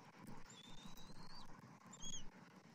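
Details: Bald eagle eaglet at the nest during a tandem feeding by both parents, giving a thin, drawn-out high whistle followed by a shorter, sharper peep, faint over low rumbling background noise.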